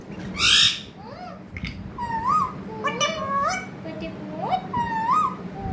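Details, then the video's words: Talking parrot chattering in a string of rising, bending whistled syllables, some in quick pairs, over a steady low electrical hum. "Pyaari baate karne wala tota"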